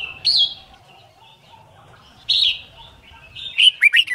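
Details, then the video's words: Red-whiskered bulbul in song training for competition singing: short loud whistled notes near the start and middle, then a quick run of bright warbled notes at the end, over a faint low rumble. "Luyện Chim Chào Mào Má Trắng Học Giọng Nhanh. Chào Mào Hót / Chào Mào Hót Đấu/Kích Bổi Hót"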